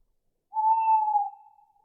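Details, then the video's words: An owl in a forest gives a single clear, whistled note, steady in pitch and about a second long, tapering away at the end; nothing else is heard. "Owls Calling In The Forest"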